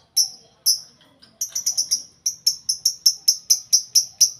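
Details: Group of lovebirds caged together, making a lot of noise; two isolated shrill chirps, then a steady rapid series of sharp high squeaks about four per second.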